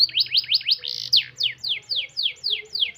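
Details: Canary singing a long tight song meant to coax lazy canaries into singing: a rapid series of loud descending whistled sweeps, roughly three per second, with a faint low hum underneath.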